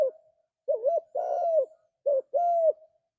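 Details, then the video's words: Spotted dove, a cage bird, giving low, mellow cooing phrases: a wavering coo, a long level coo, then a short note and a drawn-out coo. "Tekukur Gacor Suara Merdu"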